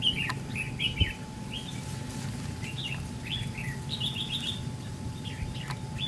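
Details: Red-whiskered bulbul decoy, white-cheeked, in a trap fight, delivers quick trilled and slurred chirp phrases with short gaps, a few clicks and a steady low hum behind.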